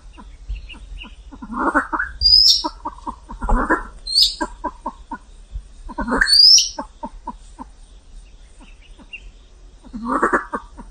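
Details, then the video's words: Silver Pheasant giving rough, rising squawks followed by quick runs of clucks, repeated about every four seconds, with thin high whistles from another bird. "Tiếng Gà lôi trắng kêu - white pheasant sound"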